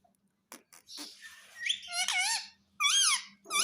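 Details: Pet parrot that talks: a few clicks and raspy notes build into long, harsh, wavering squawks, with another loud screech near the end. A faint hum continues throughout.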